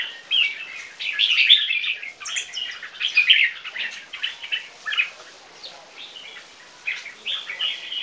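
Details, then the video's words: Two 3-month-old caged Viet-Thai crossbreed red-whiskered bulbuls singing against each other: bursts of bright, chattering, warbled phrases mostly in the high range, irregularly spaced, some sharp high notes, with short pauses between phrases. "3 months old Viet-Thai crossbreed jambuls LC2 VC1 keke versus LC1 VC1"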